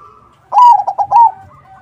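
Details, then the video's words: Crossbred zebra dove singing strongly as a lure for other doves: a single close, loud phrase of a few quick rolling coo notes, a faint coo trailing behind. "Suara Burung PERKUTUT CROSSING Gacor, Paling ampuh untuk pancingan -Semua perkutut nyaut."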